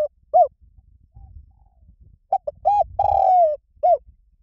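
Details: Spotted dove giving its lio tan coo, meant to draw other doves into answering. A lone coo comes first, then the full phrase: two brief notes, a rounded coo, a long descending note and an end coo, over soft low rumbling.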